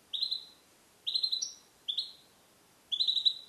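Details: Male European goldfinch, captive-born in 2021 and trained to sing Neapolitan passata, recorded alone in a small carrier cage. Four crisp, high twittering phrases of similar shape repeat roughly once a second against quiet background.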